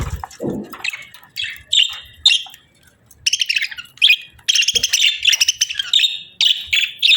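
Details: Budgerigar pair in breeding season, chirping busily: rapid high warbled chatter with bursts of sharp buzzy notes and squawky chirps, some pauses between phrases.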